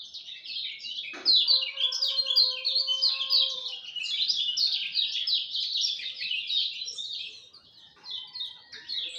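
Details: Lemon-bellied white-eye at dawn pouring out an unbroken, fast chatter of high, sliding chirps for several seconds, with a brief pause near the end before resuming; a lower tonal note sounds briefly behind it.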